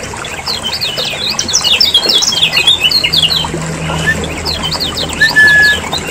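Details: Lemon-bellied white-eye from Lombok, a lure recording to prompt caged birds to sing, with busy high chirps and quick twittering notes crowded together, then a long flat whistle near the end over low background hum.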